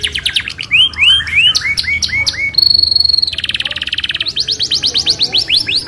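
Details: Isabel canary rolling vigorously to spur other canaries into song: a run of bright upswept whistles, a high steady metallic tour, a fast dense trill, then renewed rising notes.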